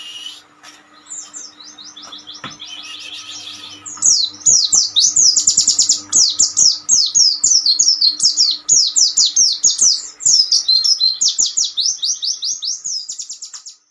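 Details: Oriental white-eye song, described as an ombyokan master recording for training untrained birds: soft high warbling for four seconds, then a loud, dense, unbroken run of very high, thin, twittering chirps, about two per second, with faint steady hum and light clicks.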